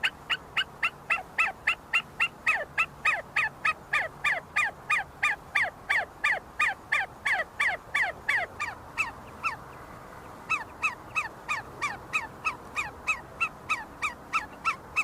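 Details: Long, fast series of ringing descending whistles from see-see partridges in a flock, feeding and fighting on the University of Sulaimani campus, Kurdistan, with a brief pause midway before the notes resume at a similar pace.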